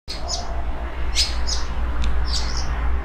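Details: Eurasian blackbird (Turdus merula) that has nested twice in a yard in Portugal, singing an unusual low-volume song at the end of the day about 5 m away, possibly imitating: short, high, squeaky chirps and twitters, about five phrases in three seconds, over a steady low hum.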